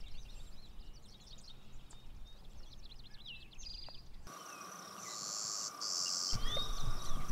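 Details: Clay-colored Sparrow singing at dawn on a dead-calm morning in savanna-like shrubby prairie at Crex Meadows, Wisconsin: two flat, harsh, insect-like buzzes, after other birds' chirps and whistles over a steady hum.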